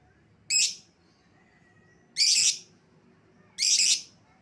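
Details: Escaped-lovebird lure call, with three loud, grating, broadband shrieks each lasting about a third of a second and spaced roughly one and a half seconds apart.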